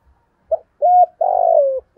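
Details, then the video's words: Spotted dove used as a decoy to goad wild doves to fight, giving a short coo, a steady held coo and a long, pulsing, gradually falling coo; faint low thumps sound in the background. "Chim Cu Mồi Thúc Đấu Bổi Rừng Nghe Cương Lên Và Về Cội"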